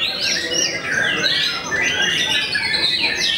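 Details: White-rumped shama, noted for intimidating rival birds, singing long swooping whistles that rise and fall, layered over steady, busy background chatter.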